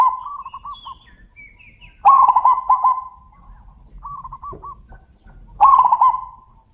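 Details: Two zebra doves trade calls: strong trilled, rolling coos alternate with fainter staccato coo phrases, and a few thin high chirps of other birds sound early on.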